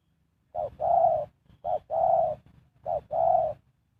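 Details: Spotted dove employed as a lure for trapping, three clear coo couplets, each a short soft note followed by a sustained deeper coo, evenly spaced.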